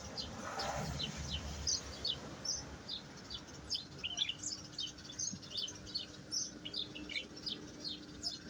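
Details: European goldfinch singing a lively string of high, clipped twitters and chirps, roughly two to three per second, with a steady faint tone and background rumble.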